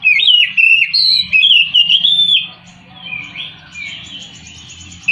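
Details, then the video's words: White-rumped shama song: a run of loud looping whistles and slurred notes in quick succession, then softer, quieter phrases fading, with a low background hum. "KICAU BURUNG KACER"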